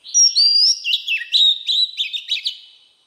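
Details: Wild-voiced Oriental magpie-robin song meant to rouse newly kept birds: sweet rising whistles leading into a quick chain of about ten sharp, evenly paced chirping notes that fade out at the end.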